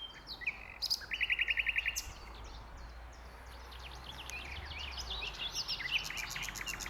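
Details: Common nightingale singing at Westleton Common on 8 May 2025: a fast rattling phrase of about a dozen evenly repeated notes, then scattered sharp chirps and high whistles, with a low steady rumble throughout.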